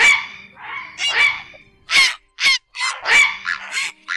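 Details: Grey heron flock-calling recording used as a lure for night net-trapping of migrating birds in August, played on two speakers. Harsh, raspy croaking squawks come in about seven uneven bursts in four seconds, some overlapping as if from two callers.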